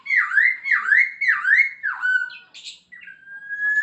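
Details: Energetic song of a masked laughingthrush with mimicked phrases: four loud swooping whistles repeated about every 0.6 seconds, a falling slur, a brief harsh note, then a long steady whistle.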